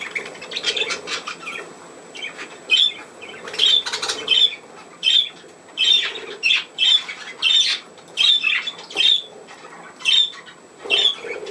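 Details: Playing pet budgerigars recorded on 27 August 2024 repeat short, harsh, high squawks roughly every half second to second, with a clipped piping note inside many of them.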